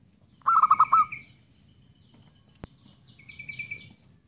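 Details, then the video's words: A single loud phrase from a zebra dove: five rapid, bubbling low coo pulses in under a second, followed by a faint click and high rising chirps and twitters from other birds. "belajar menggacorkan perkutut"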